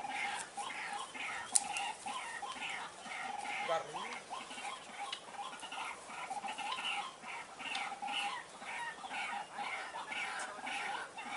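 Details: White-breasted waterhen calls played to lure birds: a steady run of harsh, nasal, harmonic notes repeated about twice a second throughout, fairly faint, with a brief human voice near the middle and soft background hiss.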